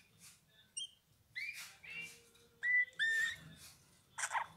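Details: A Eurasian bullfinch sings clear, soft piping whistles, short downslurred and flat notes in a loose series over four seconds, followed by a harsher burst, against a quiet background.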